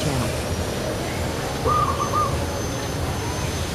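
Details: A single short, rapid run of soft cooing notes from a zebra dove (Geopelia striata) on a tree, lasting about half a second amid steady low-pitched background noise.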